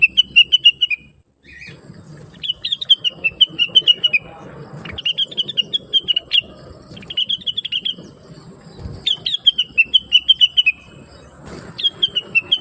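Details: Blue-winged leafbird in a chattering training song for other birds: repeated bursts of rapid, bright chirps, each burst about a second long, spaced by short pauses over low background noise.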